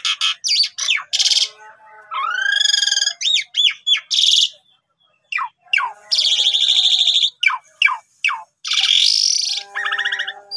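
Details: Long, varied jalak suren song used as a master for reluctant starlings: harsh bursts, rising slurred whistles, a string of sharp descending notes and extended grating phrases, with a brief pause midway.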